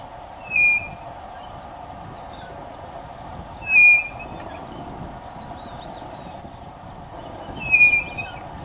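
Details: White-bellied nothura in Brazil, one bird walking on a road while another, unseen, sings; a clear level whistle repeated about every three and a half seconds, with faint chirps of other birds and steady background noise.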